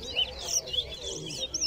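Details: Towa towa (chestnut-bellied seed finch) at a singing race held at Lusignan ground, Guyana, delivering a brief burst of bright, sweeping whistled notes and quick high trills, with a faint low background hum.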